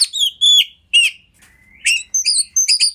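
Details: Oriental magpie-robin song used as master song for training: a few separated phrases of sharp high chirps and short whistles, one thin sustained whistle, with short silent gaps between.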